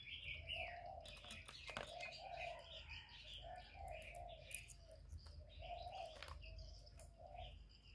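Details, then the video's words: Decoy spotted dove in a cooing duel with a wild dove, giving a run of low, rounded coos in groups, while other birds twitter and chirp at higher pitch and a faint hiss runs beneath. "Tiếng cu mồi lỡ gù đấu bổi"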